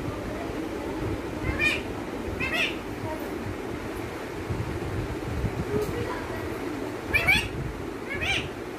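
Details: Pet parrot imitating speech, saying "mummy": a few short, voice-like harmonic bursts spaced irregularly over a steady background hum and murmur.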